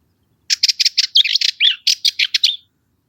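Cyprus Warbler giving a quick, scratchy two-second burst of dry rattling notes mixed with a few squeaky warbled phrases, high-pitched and even in pace.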